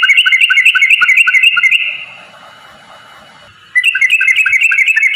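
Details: Sooty-headed bulbul in vigorous rapid-fire song, used as a lure so other bulbuls sing; bursts of fast bubbly whistles about four per second, separated by a quiet hissy gap.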